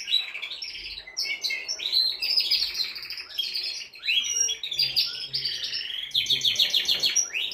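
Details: Male canary in full song to get a female ready for mating: loud, unbroken high warbling of fast trills, buzzy rolls and quick rising and falling notes, with brief dips between phrases.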